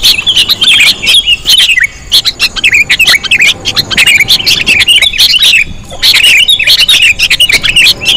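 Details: Sooty-headed bulbul call for luring: harsh squawky chirps and warbled notes in dense bursts, with a couple of quieter breaks around two and six seconds.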